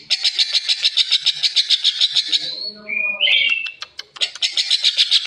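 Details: Rosy starling giving harsh, unusual sounds: a fast run of buzzy, rasping pulses about three per second, a brief whistled rising slur and chattering notes in the middle, then the rasping pulses resume.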